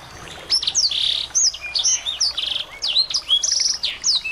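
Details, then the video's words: Small birds used as a tutor recording to provoke a white-rumped shama into singing; dense, high twittering of quick slurred whistles and short buzzy trills, phrases following each other almost without pause. "masteran burung kecil agar murai batu gacor"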